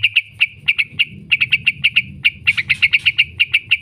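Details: Long 'ngekek' chattering of a yellow-vented bulbul, played as a lure for training caged birds: an unbroken string of quick, sharp, high chips, some doubled, rolling on without pause.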